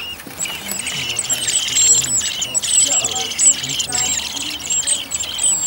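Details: Garden blackbird family on Whit Monday, second brood of four young about to try flying; dense run of thin, high squeaks and chirps, steady and busy, with low murmuring voices underneath.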